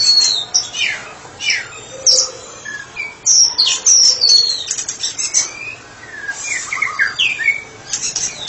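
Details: White-rumped shama singing freely: varied clear whistles, downward slurs and short chips delivered in quick irregular bursts, with sharp high notes and brief pauses between phrases.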